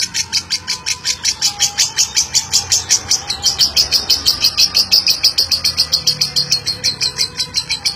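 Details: Crisp, loud lovebird ngeklek: very high, clipped chattering notes fired in quick regular succession, a long unbroken rattle from a chatty champion bird.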